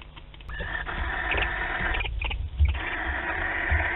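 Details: Barn owl at the start of courtship, 28 February 2021, Théding, France, gives a drawn-out, raspy, wavering screech for several seconds, with low rumbling and knocking noises underneath.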